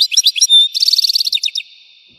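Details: Brief, intense European goldfinch song in an explosive style: a fast unbroken stream of high, rattling twitters and tinkling notes that speeds into a rapid trill before fading.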